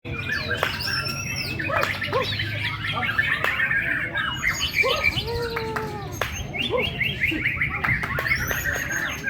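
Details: Eleven-month-old orange-headed thrush still learning its song: a busy run of chirps, squawky notes and varied warbled phrases, with thin high slurred whistles and short descending whistles, over a steady low hum.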